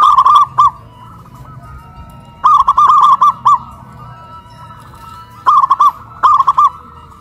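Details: Caged local zebra dove hoisted on a pole in Kuningan, West Java, Indonesia, singing loudly: clustered bubbling coo phrases of three to six quick rolling notes, roughly every two to three seconds, over low steady hum.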